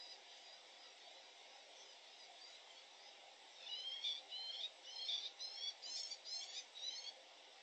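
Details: Possible woodchat shrike, recorded 30 June 2021 in Territorio Lince, minutes after one perched on the highest perch. BirdNET gives shrike at 100%, but some observers doubt it: short, high, scratchy chattering notes, about two per second, over steady hiss.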